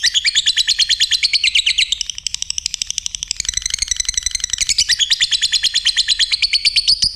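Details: Lovebird delivering a continuous rapid chatter of shrill twittering notes, the stream dipping softer midway then rising loud again, high and scratchy throughout.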